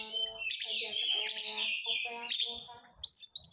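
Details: Dense crecetan chattering from an Oriental magpie-robin, kacer in Indonesia, played as a lure to make stubborn birds sing: bright whistled phrases with three loud buzzy bursts, lower harmonic notes underneath, then a clear rising whistle.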